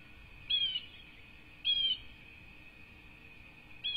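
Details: Nestling bald eagles, two chicks, at a Southwest Florida ranch nest rebuilt after Hurricane Ian, USA, 5-2-24: loud, piercing, down-slurred squeals roughly every second, with a steady electronic whine behind them.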